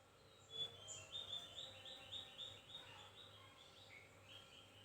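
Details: Javan white-eye giving thin, actively sung chirping: a rapid run of high, thin notes, mostly sliding and slightly buzzy, repeated about three to four times a second against a steady low hum.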